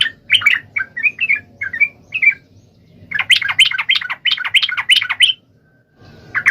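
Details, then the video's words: Sooty-headed bulbul calling a rival with rich song: a series of short warbled phrases, a pause, then a long rapid burst of liquid chattering notes, and a final note. "SUARA trucukan gacor MEMANGGIL LAWAN"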